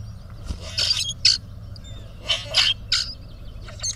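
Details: Male grackles puff up and present themselves in a duel for a female, producing repeated loud, grating squeaky bursts in pairs, rough and wideband, separated by short pauses.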